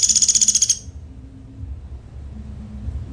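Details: Pelatuk Sampit singing in lively form in the fast, tight "tembakan" style: a burst of about eleven sharp, very high notes in rapid, even succession lasting under a second, followed by only a low background hum.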